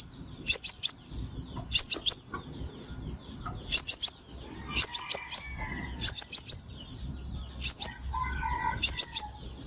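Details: Crimson sunbird lure call for trapping birds: tight clusters of three or four very high, sharp chirps, repeated about every one and a half seconds, with faint soft background sounds between.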